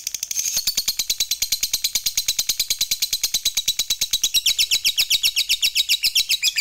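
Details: Long unbroken 'ngekek' chatter from a fighter lovebird, played to provoke other lovebirds into singing: evenly spaced, high, buzzy notes about two per second, shifting to sharper, higher pulses in the second half.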